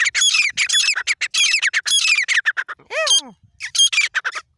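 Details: Grey francoline calls: loud, grating, chattering notes in quick repeated groups, broken once by a single clear note that sweeps sharply downward, then more rasping bursts.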